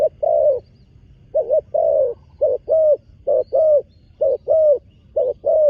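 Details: Spotted dove, a newly trained young bird on a dirt competition ground for the first time, delivers a rapid run of deep coos, short double notes alternating with longer held ones, nearly continuous.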